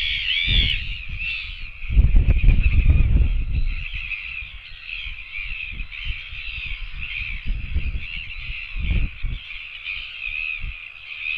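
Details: Royal albatross chicks begging for food, filmed on a nest camera, 24.09.17: rough, wavering mid-pitched calls rise and fall in overlapping arcs above heavy low wind rumble and buffeting bursts.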